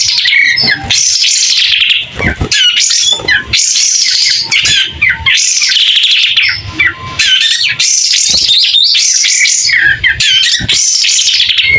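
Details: Nonstop, clear song of a White-rumped shama fanning its tail: bursts of high, swooping whistles mixed with harsh squawks and quick twittering phrases, repeated in waves every second or two.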